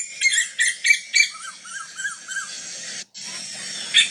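A female Asian koel gives a quick series of shrill, sharp kik notes, about three a second, then softer lower chirps over faint background hiss.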